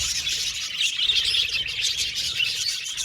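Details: Happy budgerigars chirping in a colony aviary; bright, rapid tweets and short warbled notes pile over one another in a lively, unbroken chorus.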